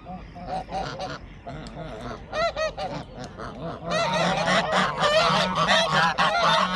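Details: A group of geese at a pond turn defensive as a black swan enters their territory, flapping wings and protesting; loud nasal honks burst out in quick irregular runs, swelling into a dense overlapping chorus in the second half.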